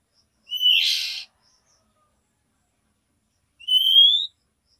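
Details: Female oriental magpie-robin calling to a male: a rising whistle that breaks into a harsh rasp, then after a pause a clean, long, upslurred whistle.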